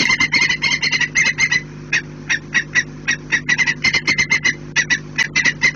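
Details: A saker falcon flies in calling as usual, though no chasing falcons are visible, on 17 March 2018; a fast, harsh, chattering series of grating notes, several per second, over a faint steady low hum.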